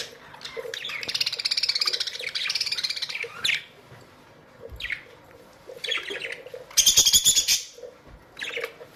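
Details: Australian budgerigars living as a colony warble and chatter continuously, with long buzzy rippling phrases, sharp squawks and a loud, high, grating burst near the end as many birds call together.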